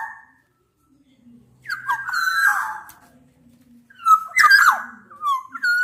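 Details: Black-naped oriole in a rival-challenging mix of Javan and Sumbawa males and females: quiet start, then slurred whistles with a harsh nasal burst, a pause, and a louder squawking, fluty phrase.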